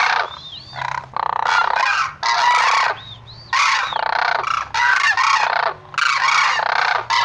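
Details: Sarus crane giving loud, brassy trumpeting calls in bursts of one to two seconds. Brief rising notes sound between the bursts, and the honking phrases repeat with short pauses.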